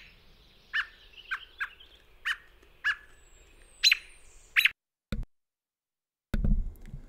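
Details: A North American Robin gives its aggressive "tu tu tu" alarm, signalling a threat such as a dog, person, coyote or fox. Sharp, clipped notes, about seven in under five seconds, sound urgent, and two low thuds follow at the end.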